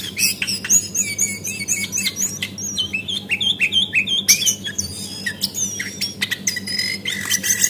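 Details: Lure call of a female brown cingcoang (Lesser Shortwing) for making birds sing: busy, high twittering song of quick whistled phrases, roughly two per second, jumping in pitch, above a faint steady hum.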